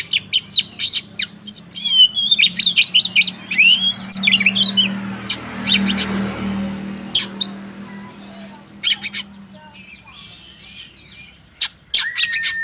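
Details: Female Oriental magpie-robin calling a male, played to make other males excited and sing; rapid run of whistles and up-and-down slurred phrases early, then separated sharp chips and short notes, a low hum throughout.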